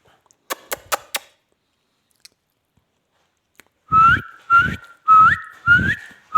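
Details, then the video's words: Talking ringneck parrot, a pet, mimicking: a few sharp clicks, then four whistled notes, each jumping up to a higher whistle, repeated about every half second with breathy noise under each. "talking heavan beutyfull magical ringneck"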